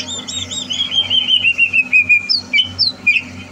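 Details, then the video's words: Greater green leafbird in training for a singing competition, 30 November 2022: a flowing chain of clear, descending whistled notes, then a few high, upward-flicked calls, with a faint steady hum beneath. "Suara Burung CUCAK Hijau"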